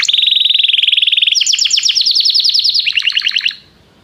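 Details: Canary calling its friend to sing, recorded for song training: a long steady rattling trill, then quick repeated downsweeping notes that drop lower before the song ends in silence.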